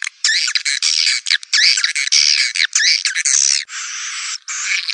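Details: Calling sound used to draw in swiftlets: bursts of harsh, buzzy twittering chirps in quick runs, separated by short gaps, with one flatter, rasping burst near the end.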